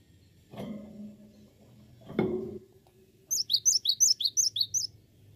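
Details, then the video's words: Gelatik batu, the cinereous tit, in gacor song: after two dull knocking thuds, a quick burst of about nine high, sharp, down-slurred chirps follows in steady rhythm near the end. "Awas Gelatik Batu anda Ikut Gacor"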